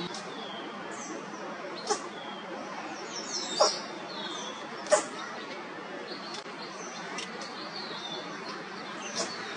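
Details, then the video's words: A young or possibly sick owl sneezing over and over, perhaps from a respiratory infection or while trying to bring up a pellet. Three short, sharp broadband bursts come about one to one and a half seconds apart over a quiet hiss, with faint high chirps between. "never encountered an owl that sneezed so much"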